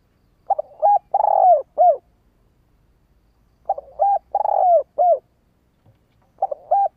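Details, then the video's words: Female spotted dove giving its calling coo, used by trappers to attract and excite male doves: phrases of a few short notes then a long rolling coo and a final note, repeated every three seconds. "gáy goi"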